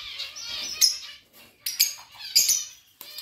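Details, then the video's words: Budgerigars chirping: bright, harsh, noisy chirps in short bursts about once a second, with quiet gaps between them and a soft warbling chatter at the start. "Budgies sounds and chirping"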